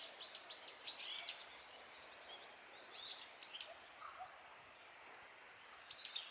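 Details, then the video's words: Brown-eared bulbuls crying loudly as they feed on cherry blossom nectar in Japan; clusters of arched, strident high notes at the start, around three seconds and again near the end, with softer twitters between. "Bulbuls making noise in the cherry tree. 桜の木で騒ぐヒヨドリ"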